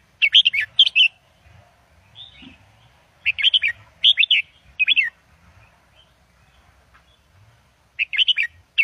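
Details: Professional Indo double style singing from a caged red-whiskered bulbul, used to teach young birds: lively clusters of quick, sweet whistled notes, groups returning every three to four seconds, with soft chirps in between.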